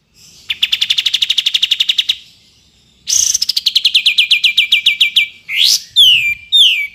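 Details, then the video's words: Sooty-headed bulbul in full 'ngepik besetan' song, meant as a tutor for other songbirds: a steady rapid trill of bright notes, a pause, a second trill dropping in pitch, then quick rising and falling whistled slurs. "KAPAS TEMBAK GACOR FULL NGEPIK BESET"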